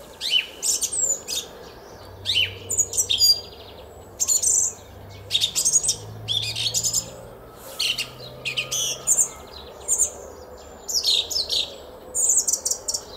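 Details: Garden song of a song thrush, Szalkszentmárton, Hungary, 10 April 2021, 06:15 in spring: loud high phrases of whistles and scratchy notes delivered in bursts about every second or two, with brief pauses, over a faint low hum.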